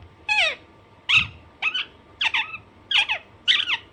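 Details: Pet Alexandrine parakeet producing six rasping, downward-bending squawks at roughly half-second to one-second intervals, with a soft thump and a faint background hum.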